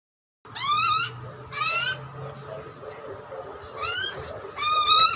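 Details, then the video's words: Wild Australian butcherbird chick screaming for food while its parents feed it; four loud harsh rising screeches with stacked harmonics, spaced about a second apart with quiet gaps between. "Hungry Baby bird screams for food ! Baby bird feeding with parents. Australian wild butcher birds."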